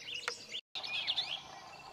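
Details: One of several very vocal Bell's Vireos, keeping hidden in brush, gives quick, scratchy chirps, then a rapid jumbled warble of high twittering notes after a brief break, over faint background hiss.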